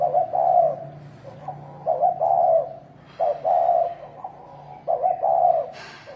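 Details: Spotted dove calling in the thổ đồng style to stir rival males to fight: deep, soft hooting coos in broken phrases, short notes then a longer coo, with a brief crackle near the end and faint hum.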